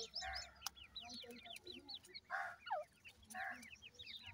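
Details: Home-reared grey francolin chicks cheeping in rapid high, hooked notes from several birds, broken by louder raspy bursts and a single lower slurred note, with a low background hum.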